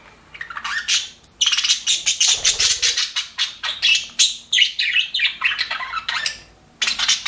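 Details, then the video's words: Budgerigars in an aviary, called happy, pour out rapid high chirps and scratchy twitters in quick pulses, a brief pause before a final burst. "HAPPY BUDGIES SOUNDS PART 1"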